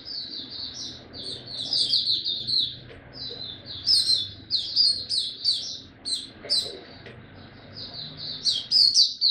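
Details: Caged white-eye, known locally as mata puteh, kept as a hobby songbird in Singapore, recorded 31 July 2023 as it finally starts singing again; high, thin twittering phrases in rapid bursts with brief pauses between.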